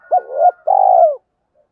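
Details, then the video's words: Single spotted dove phrase, the kind used to attract wild doves: a short upswept hoot running into a wavering note, then a longer rolled coo sliding down. Close and clean, with no other sounds. "tiếng cu gáy giọng hợp bổi dùng đi gác chim rất nhanh về cội"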